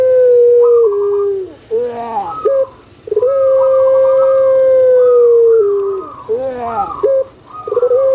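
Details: Puter pelung spotted dove, kept and jumbo in build, giving drawn-out booming hoots. Long level tones alternate with short rolling, warbling coos and brief rising notes, repeated twice.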